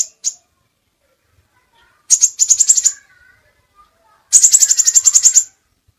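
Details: Crimson sunbird song from a tutor recording with many variations: very high, fast, buzzy trills, a short one and then a longer rattling series of rapid ticks, separated by silence.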